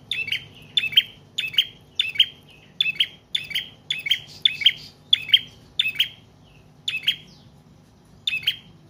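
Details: Prinia, known as prenjak trotol or paot, in prolonged song used to lure and to train other cage birds; a long series of crisp high chirps, about two per second, slowing with gaps near the end.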